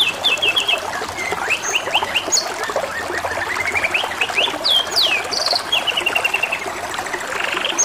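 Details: Over a continuous water trickle, a canary sings varied phrases: clipped high chirps, a fast climbing series of notes, sharp slurred whistles, and an evenly repeated row of short notes near the end.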